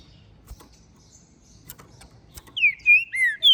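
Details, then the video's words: Captive-bred, ringed green-winged saltator from Minas Gerais, singing strongly after the moult; after quiet clicks, a loud run of clear, slurred whistles dropping in pitch closes the clip. "TRINCA FERRO é o MELHOR para ABRIR o CANTO! pois Canta e MACHEIA MUITO!"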